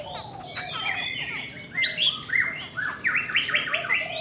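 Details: Female Chinese hwamei in vigorous song meant to excite male birds, with varied whistles leading into a bright series of quick, repeated rising and falling notes near the end, over constant low hiss.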